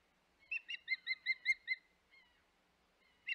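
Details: Osprey calling at its Hog Island nest, 25 May 2021: a tight series of about seven clear, slightly rising whistled chirps, then a faint note and one final chirp.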